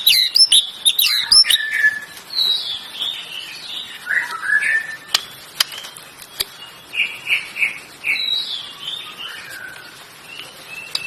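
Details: Singing canary: bursts of high, sharp chirps and short trills, then a varied run of quick whistled notes rising and falling, with a few clicks in between.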